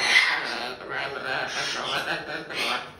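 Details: A rescued hyacinth macaw at a parrot rescue and sanctuary chatters in a raspy, speech-like voice, a bright squawky note opening and then three throaty mumbled phrases spaced about a second apart, indoors.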